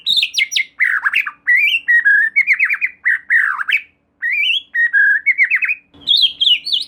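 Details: White-rumped shama (murai batu) lure song intended to make another shama sing: scratchy stuttering trills mixed with sharp rising whistles, in bursts separated by short pauses.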